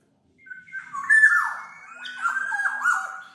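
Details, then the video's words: Brief Black-naped oriole song for training or luring birds, a continuous phrase of mellow, slurred whistles, rising then falling, with nasal, scratchy overtones. "SUARA BURUNG KEPODANG MAS, untuk masteran/pikat"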